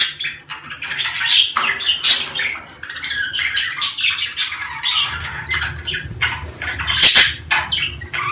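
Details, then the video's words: Budgerigars during the mating season: nonstop squeaky warbling and scratchy squawks, several birds seemingly overlapping, a low rumble in the second half. "دع اناث البادجي تسمع هذه الاصوات كي تبيض بسرعة"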